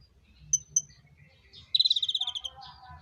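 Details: Konin bird in mating calling: two sharp thin high notes, then a quick run of about ten pulsed buzzy notes slowly falling, followed by soft lower chatter.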